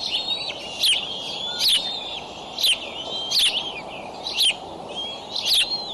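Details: At a Decorah nest on the morning of 25 May 2012, an eagle calls while the adult delivers a raccoon to eaglets aged 55 to 59 days. Piercing high chirps repeat about every 0.8 seconds, each with a falling tail, over a constant hiss.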